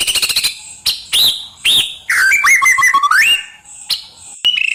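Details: Wild white-rumped shama singing vigorously, a fill-in (isian) song used as training material for kept birds: short bursts of ticking notes, then loud slurred whistles and a rising warbled phrase, with gaps of silence.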